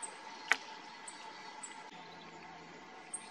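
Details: Male grey bunting (Emberiza variabilis) ground call, resembling a black-faced bunting's, recorded 2 January 2022: thin, very high, short tsip notes at irregular intervals, four in about three seconds, over a low steady hum with one sharp click.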